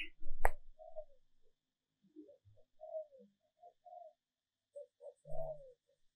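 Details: Female spotted dove (chim cu mái), recorded to lure males, gives soft, low, mellow coos in short broken phrases, with a sharp click near the start and a brief low hum toward the end.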